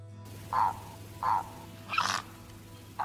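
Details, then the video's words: A heron gives two short, hoarse croaks about a second apart, then a louder, rasping squawk, over a steady low hum. "Garça - Canto"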